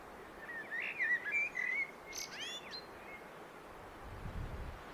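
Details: Common blackbird singing: mellow fluted warbling phrases at a moderate pitch, then a brief burst of thin, high squeaky twitters, over steady outdoor background noise with a low rumble near the end.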